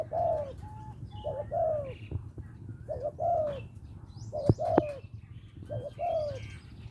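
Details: Spotted dove in Lopburi, Thailand, small-voiced bird calling a mate: repeated short mellow coos in clusters roughly every second, some clipped notes and faint clicks over a steady low background hum.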